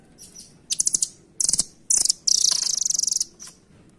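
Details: Shrill, fast-pulsed trills from a velvet-fronted nuthatch, locally rambatan: three short chattering bursts, then a sustained rattling trill about one second long.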